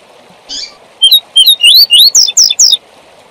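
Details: Fibra-style tui tui zel zel song of a double-collared seedeater, used for training young birds. A soft burst is followed by a lively phrase of nine or ten bright, high whistled notes, rising and falling, over low continuous hiss.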